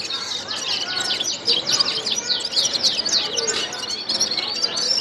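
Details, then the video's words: Singing gulsar bird delivering dense, high twittering made of quick downward-sweeping chirps repeated in rapid succession, at times overlapping, with softer lower notes underneath. "Gulsar bird singing ګلسر مرغی"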